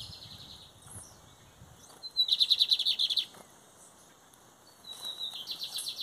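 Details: Competing lined seedeater, 2023 season, Metálico versus Torneiro song styles: soft high twittering, then a loud burst of about ten quick pulsed notes lasting one second, followed later by a quieter repeat of the trill.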